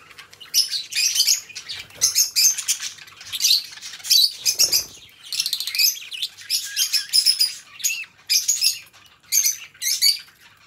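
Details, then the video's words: Two pet budgerigar companions warble continuously: dense, scratchy chirps and twittering bursts pour out in quick phrases with brief pauses between them. Soft wing flutters can be heard in the background. "2 Hours of Budgie Sounds: Birds Singing You to Sleep"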